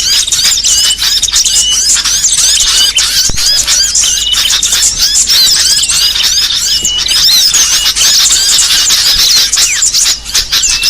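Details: Lure recording for trapping small birds, meant to attract species such as sunbirds, tailorbirds and white-eyes: a dense, continuous chorus of high, thin chirps and twittering whistles from many birds at once, with rapid overlapping squeaky notes throughout.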